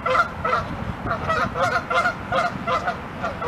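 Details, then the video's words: Canada geese coming out of a pond and charging at their flock in an angry fight: loud, harsh nasal honks, about three per second, with several birds overlapping in an agitated chorus. "Canada Geese HONKING ANGRY Get into Fight with Flock"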